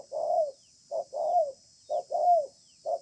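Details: Spotted dove, a wild bird with a strong voice, dueling beneath a communal house; mellow low coos alternate short and long, the longer notes sliding downward, in a slow, evenly spaced rhythm.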